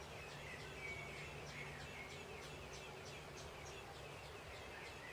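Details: Common blackbird nestlings begging while being fed in heavy rain: quick runs of high, thin, downward-sweeping squeaks, roughly three per second, half buried in constant rainfall noise, with a faint lower whistled note early on.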